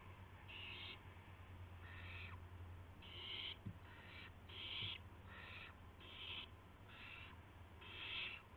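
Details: Owls at dawn, March 26, 2016, with a gopher and a mouse delivered around 5:50 AM. A long run of raspy, hissing calls pulses about once a second, with a faint click and a low steady hum.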